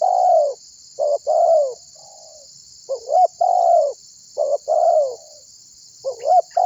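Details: Tekukur (spotted dove) in full voice, calling so that other birds join in singing. Repeated mellow coos alternate long drawn, slightly falling notes with short clipped ones, in uneven bursts. Continuous background hiss.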